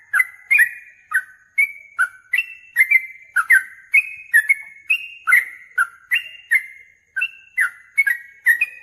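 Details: Yellow-vented bulbul singing hard in search of a rival to fight, replying angrily. It gives a long run of about twenty bright whistled notes, each sharply started and followed by a level ringing tone, delivered in quick uneven succession.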